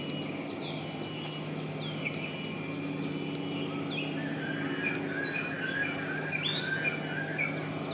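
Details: At a juvenile Malaysian pied fantail being fed by an adult in Singapore, May 2022, thin, high chirps come at an uneven pace, possibly the adult's call, over a low hum and shrill whine.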